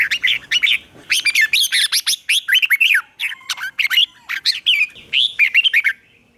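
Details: A red-whiskered bulbul sings its morning song, a rapid run of bright, bubbly whistled phrases rising and falling in quick succession.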